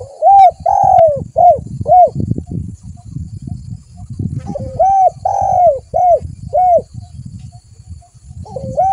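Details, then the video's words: Spotted dove lure call meant to draw other doves in: phrases of soft, hollow rising-and-falling coos, several notes in quick succession, repeated after a short pause, with a faint low rumbling background. "Suara pikat burung tekukur terbaru paling Ampuhhh...."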